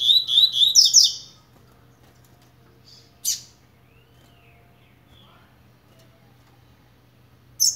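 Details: A coleiro blade (Double-collared seedeater) warming up gives one brisk second-long series of high chirped notes, followed mostly by quiet with two isolated sharp clicks or notes.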